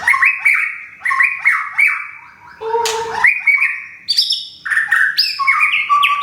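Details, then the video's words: White-rumped shama from Thung Song, Thailand, recently moved and regrowing its plumage after moulting, delivering a rich varied song of clear whistled notes, stepped slurs and short chattery bursts, phrases following each other almost continuously. "บินหลาดงทุ่งสง shama bird murai batu thailand"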